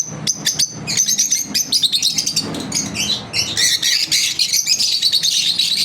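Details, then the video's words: Daily-routine chatter from pet lovebirds: clicking chirps at first, then a swelling chorus of high squeaky notes and short downslurred whistles. "Lovebirds Chirping Video Daily routine"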